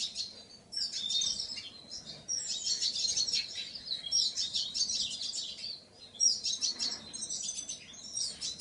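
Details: Painted bunting singing clear high warbled phrases lasting one to two seconds, separated by short gaps, notes quick and twittering.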